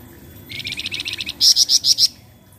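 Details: Untrained Flamboyan bird, song used to lure other birds into singing: a fast run of about ten high buzzy rattling notes, then five louder, sharper, higher chip notes in quick succession, over faint low background hum.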